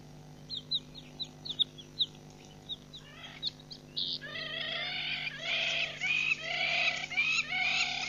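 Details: Helmeted guineafowl (Numida meleagris) at Nkorho Pan on 15 June 2007: a few thin, high chirps, then loud, harsh, grating chatter in rapid repeated bursts, over a faint steady low hum.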